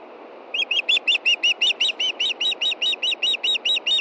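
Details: Female osprey at a Montana nest calling for fish before dark, late evening in June, her mate fishing nearby: a fast series of about eighteen sharp, high whistled chirps, each arched, repeated several times a second, over steady low background hiss.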